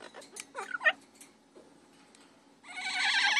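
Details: Pair of pet Double Yellow-headed Amazon parrots: scattered short chattering calls, a quiet pause, then a loud sustained raspy squawk that swells to the end.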